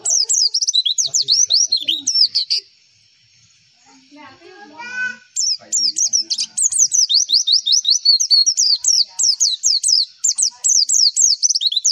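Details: White-eye song used as a training recording meant to make other white-eyes answer: rapid run of high, thin, downslurred chirps and twitters, about two per second, broken midway by a short pause with faint voices and a low warbled sound.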